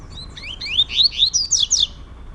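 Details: Caged double-collared seedeater of the trovoada song style, brought indoors where two males compete vigorously; a rapid run of high, sliding chirped notes rising in pitch and growing louder, delivered in quick bursts over faint room hum.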